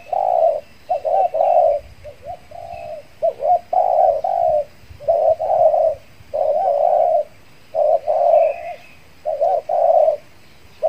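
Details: Captive spotted dove used as a decoy to lure wild doves in an afternoon durian and banana garden gives soft, low, hollow coos in quick runs of two to three notes, repeated steadily with brief pauses.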